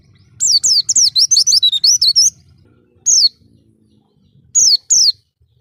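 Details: Oriental white-eye song used as a lure to draw other white-eyes: rapid series of high, sweet descending whistled notes in a burst of about two seconds, followed by short paired notes, with faint low background rumble.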